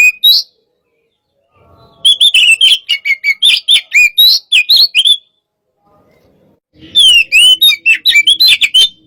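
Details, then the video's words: "Hot type" Oriental magpie-robin during a stimulating session singing in bursts: rapid runs of sharp whistled notes and chips separated by pauses of about a second and a half. "pacingan burung Kacer tipe panas"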